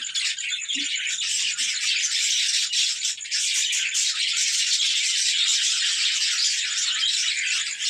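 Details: A group of budgerigars during playtime: constant shrill twittering and grating chatter layered over one another, with slight surges in intensity near the middle.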